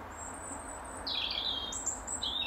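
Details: European robin singing from its usual apple tree branch in the final hour of daylight, defending territory; thin, high, sweet warbled phrases, some sliding downward, following one another rapidly, with faint low background rumble.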